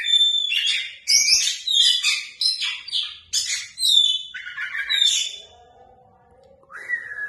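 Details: An oriental magpie-robin gives a rich, showy song of jumbled squeaky and whistled phrases, then a lower drawn-out note, a quiet gap and one rising whistle.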